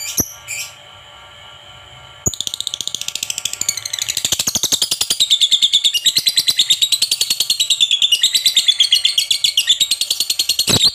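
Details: Lovebird calling to stimulate other lovebirds to sing: a few sharp high chirps, then a long, fast, unbroken run of shrill twittering notes, about three per second, growing louder and denser toward the end.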